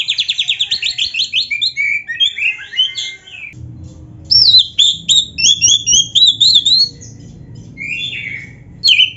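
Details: Black-breasted Oriental magpie-robin in full gacor song rich in varied phrases, meant to prompt captive kacer to sing: a fast string of metallic notes, a brief pause, then loud sweeping whistles and buzzy squeaks against a low hum.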